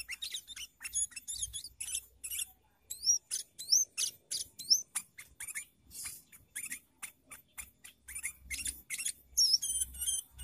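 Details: Sooty-headed bulbul singing in a lively, varied way, used as a lure call for trapping birds: dense runs of sharp high chirps and short upswept and downslurred whistles, delivered in quick bursts with brief pauses between them.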